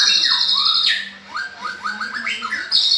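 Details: Short burst of white-rumped shama (murai batu) song: a few rising and falling whistles, then a string of quick upward-slurred notes over a faint low hum, with a high buzzing drone at start and end.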